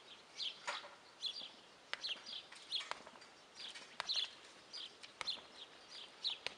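Guineafowl giving harsh, high, rasping calls in quick irregular bursts, several per second, with short sharp clicks between them.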